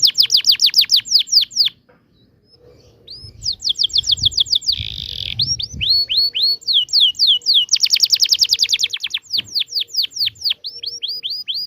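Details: Canary singing a long, energetic ngerol rolling song used to tutor young canaries: rapid series of high downswept notes, a pause near two seconds, then a harsher buzzy burst and more fast repeated sweeps.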